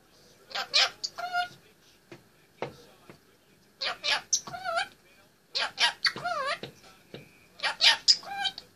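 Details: Indian ringneck parakeet, an 18-month-old pet, talking and singing atop its play stand in mimicked speech-like phrases with wavering harmonic glides, grouped into four bursts with quiet gaps.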